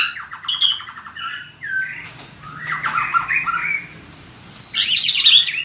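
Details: White-rumped shama, a kept bird trained for fighting song, starts with a fast rattling series, then full warbled phrases, ending with a high sustained whistle and a burst of bright, rapid notes.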